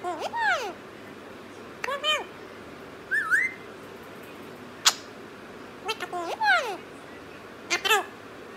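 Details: Punjabi-talking parrot giving a string of rasping, arched syllables in short bursts, with a brief rising whistled note in the middle and sharp clicks between phrases.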